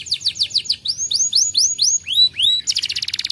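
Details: Canary song meant to coax a canary that is reluctant to sing: quick series of falling whistled notes, then longer arched slurs, ending in a rapid buzzy trill.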